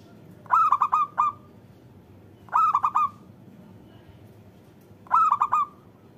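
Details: Local zebra dove, a lure recording meant to prompt lazy or moulting doves to sing; a soft cooing phrase of about four quick notes, repeated every two to two and a half seconds over faint background hiss.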